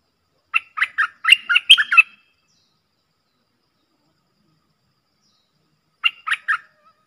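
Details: Two streak-eared bulbuls dueling hard in song, lure recording from 30 October 2021: a fast string of sharp chirps about a second and a half long, then silence, then a short three-note reply.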